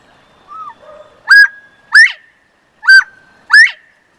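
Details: A pair of Northern bobwhites give four loud, clear whistles, each ending in a sharp upward sweep, in two close pairs about a second apart, after a few faint softer notes.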